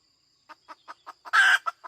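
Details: Hen with five evenly spaced short clucks rising into a loud, harsh, sustained squawk, then two quick clucks after it.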